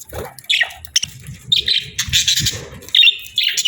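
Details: Budgerigars chirp in short bright bursts and buzzy warbles, separated by soft low rustling and knocking sounds.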